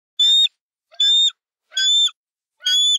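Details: A hungry young eagle gives four thin, high, squealing chirps, one roughly every three-quarters of a second, in an otherwise quiet setting.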